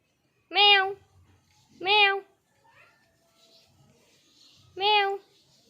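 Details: Pet parrot in an angry mood, indoors, giving three loud, nasal, drawn-out squawks about half a second long, rising then falling, spaced one to three seconds apart, with a person talking to it around the calls.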